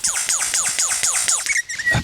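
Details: Male lyrebird mimicking a laser gun during courtship display as a female approaches: rapid series of repeated descending zapping sweeps, about five per second, ending in a few brief whistled notes.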